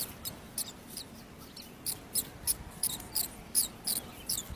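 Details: Myna chicks in the nest, being fed by their mother, give thin, high, squeaky begging notes in short bursts, about one or two a second, unevenly spaced, over a soft background hiss.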